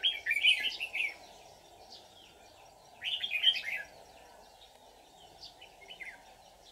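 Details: Decoy red-whiskered bulbul of the white-cheeked form, trapping session dated 24 July 2019, singing combatively to draw wild birds; two short bursts of jumbled, sweet chattering notes about three seconds apart, with faint twitters between over a steady low hum.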